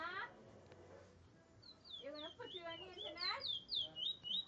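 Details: Trinidad bullfinch singing a Rishi-style song at Barrackpore, Trinidad: after a brief human voice, a fast run of high, sweeping whistled notes and warbled trills rises and falls, repeated in quick bursts over low background murmur.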